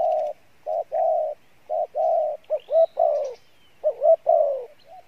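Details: Field-type spotted dove, strong-voiced, singing the mixed 'Bai Loi' style: low hoarse coos in series, followed by rising, swooping cooing notes. A thin whistle from another bird is heard briefly in the background.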